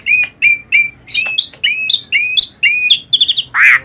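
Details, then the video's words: Energetic song of the Asian pied starling, recorded as training audio: a steady series of bright, slightly rising whistles about every third of a second, mixed with higher clipped notes and ending in a loud harsh squawk. "Kicauan burung jalak suren gacor"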